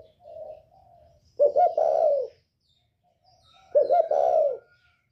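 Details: 'Còi bổi'-voiced spotted dove of northern Vietnam, a call meant to provoke other birds. Two loud phrases about two and a half seconds apart, each a quick stuttering start flowing into a deep, hollow, slightly falling coo, with faint murmurs before.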